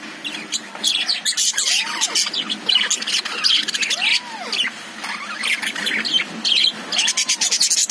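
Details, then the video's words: Caged lovebirds chirping: dense high, scratchy chatter and squawks overlapping throughout, with three slow arched whistle-like tones rising and falling, roughly two seconds apart. "Love birds sound"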